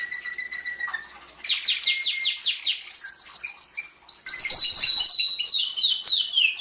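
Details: Canary song for training other birds: a steady whistled trill, a brief pause, then sweeping descending notes and a varied, tumbling warble.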